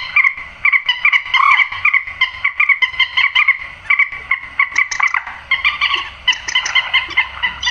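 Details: Grey-headed swamphen, whose call serves to lure birds into nets at night, giving a long run of rapid, metallic, nasal squawks with little pause, slightly harsher toward the end.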